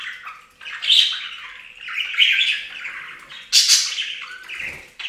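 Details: Pet budgies taking a bath in a fountain, chattering in bursts of scratchy squawks and bright chirps that rise and fall, with small splashing sounds near the end.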